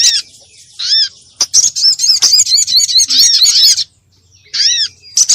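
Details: Crimson sunbird lure calls, played to attract birds and prompt singing; a short chirp group, a click, then a fast busy chatter of high curved notes, a pause and a final burst.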